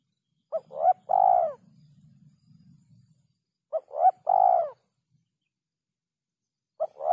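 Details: Spotted dove giving its three-note 'kuk 3' coo, a short note, a second note and a long drawn-out coo, in phrases about three seconds apart, low and mellow, with a faint low rumble in between.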